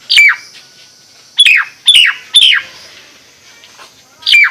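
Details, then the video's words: A Nias hill myna sings bright, sharply descending whistles, one, then a quick trio, then a final note after a gap. "Kicau jalak nias"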